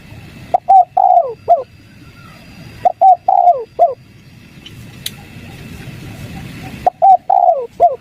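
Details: Lure call of a spotted dove, 'kuk 3' style, meant to get wild doves calling back: three soft hooting phrases of short, short, long falling and clipped coos, spaced by pauses of a few seconds with quiet hiss and one faint click.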